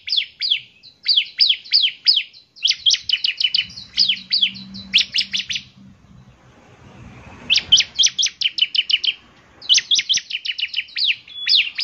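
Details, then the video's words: Bar-winged prinia (ciblek semi) singing vigorously, its distinctive song described as making other prinias join in: rhythmic bursts of sharp high chipping notes in quick series, a pause with a low hum midway, then song resumes. "ciblek semi gacor, suaranya yang KHAS bikin ciblek semi IKUT bunyi"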